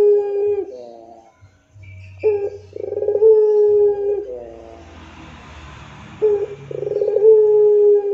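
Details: Series of long low rintihan coos from a puter pelung dove with pulsed, fluttering starts and steady held tones. Soft hiss and a low hum fill the pauses between phrases.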